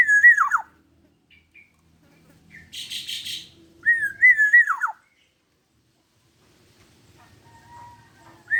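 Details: Black-naped oriole, 21 years old, singing in full voice as a tutor bird: liquid whistled phrases that waver and then plunge, with a short burst of rattling broadband noise between the first two and a faint fluty note near the end.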